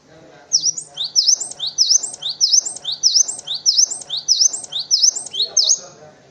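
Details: Cinereous tit, recorded as a master song for white-eyes and other birds, repeats one crisp high two-note phrase about every 0.6 seconds, roughly ten times, in an even steady rhythm.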